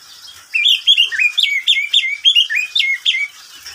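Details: Oriental magpie-robin kept as a pet, singing during the day: after a quiet start, a fast string of loud whistled notes, each rising then dropping, repeated about three times a second.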